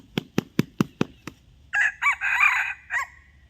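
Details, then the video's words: Wild red junglefowl in forest near Buriram–Korat, Thailand, drawn by a decoy crow on a fine day, claps its wings six times quickly, then gives a hoarse, clipped four-syllable crow ending abruptly. "ต่อไก่ป่า ep83 ขันไม่ถึง 10 นาที เข้าไวมาก"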